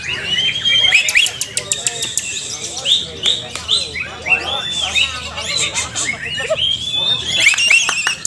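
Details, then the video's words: Cucak ijo birds singing together in a training session, ngalas nembak style: long, continuous medley of loud arched whistles, rapid twitters and sharp snapping clicks, with overlapping voices. "Latihan Bersama Burung Cucak Ijo Part 2 Ngalas nembak rajin"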